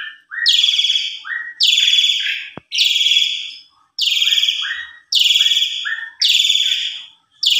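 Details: Javan pied starling lure recording meant to provoke a response: harsh, rasping screeches repeated roughly every second, each followed by a short lower whistled note, with a single click.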